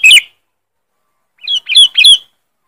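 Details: Sooty-headed bulbul giving a loud, sharp lure call: one harsh chirp burst, a pause, then a quick run of three or four rasping, scratchy notes.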